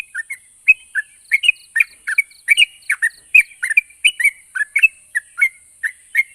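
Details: Yellow-vented bulbul song intended to make stalled birds sing back; a continuous, lively run of bubbly, slurred chirps and warbled notes, several per second, with a faint steady high whine in the background.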